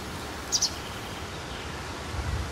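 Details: At dusk on 12 April 2017, a White Wagtail close by gives one quick, high two-note call, a sharp 'chis-ick', over a low background rumble and a soft murmur of noise.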